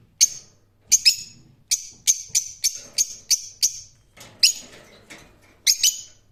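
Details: A rose-ringed parakeet gives harsh, shrill screeches, each short and sharp, in a ragged series of about a dozen calls with uneven gaps in an otherwise quiet setting.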